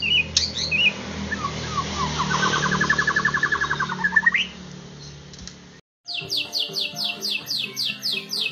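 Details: White-rumped shama singing a varied run of whistled and chattering notes, including a rapid buzzy trill. After a short silence comes a fast, even series of sharp, high descending notes.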